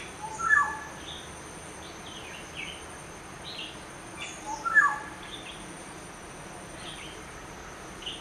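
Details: Black-hooded oriole giving two brief harsh downslurred calls about four seconds apart, with faint high chirps of other birds and a steady electronic hum behind.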